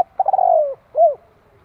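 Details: One spotted dove (cu gáy) phrase, heard close: a wavering start runs into a long, mellow coo sliding lower, ending with a short rounded note.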